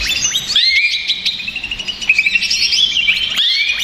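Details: Greater green leafbird in agitated song for luring other birds: upward-sweeping whistles at the start and end framing a dense, jumbled stream of high chirps and twitters.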